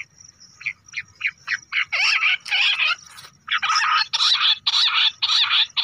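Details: Bush quail calling in the Lahori manner, a sound used to lure birds during hunting: short clipped notes that speed up and build into loud, harsh, rasping bursts repeated roughly twice a second.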